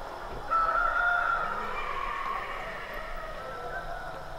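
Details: Rooster crowing at dawn in a village: one drawn-out crow that opens with a loud, steady, strained note and then trails off into a wavering, fading tail, over a soft rural background hiss.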